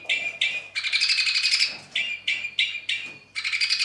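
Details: Two-barred crossbill song in bad weather: harsh buzzing trills switching with short chattering chips, one longer rattle near the start, delivered fast and irregularly.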